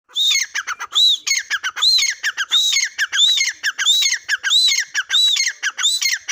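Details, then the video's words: Partridge (teetar) calling loudly and steadily: a fast run of harsh, ringing notes, each a high arched whistle followed by descending clicking syllables, repeating about every half second with no other sounds. "teetar voice | teetar ki awaz | teetar sound | dakniteetar ke awaz | teetar boli"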